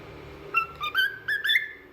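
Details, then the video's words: Pet cockatiel singing: a short run of clear whistled notes, about five rising and level tones climbing gradually in pitch over under two seconds, with faint room hum beneath. "Cockatiel Talkative Bird 🕊️ Rio Adorable Singing"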